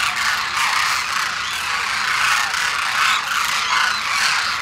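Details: A large wintering congregation of demoiselle cranes at Khichan, Rajasthan, calling together in a dense, continuous wash of rolling, rattling trumpets with no pauses.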